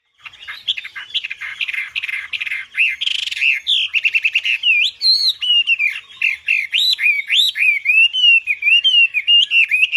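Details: Wambi bird singing vigorously: begins with harsh, buzzy chattering, then shifts to a loud series of rising and falling whistled phrases repeated about three times a second in a steady, rollicking rhythm.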